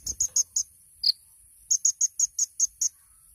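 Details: Kolibri ninja sunbird, a champion singer on a tutor recording: four sharp high chirps, a single lower note, then a run of seven evenly spaced bright chirps.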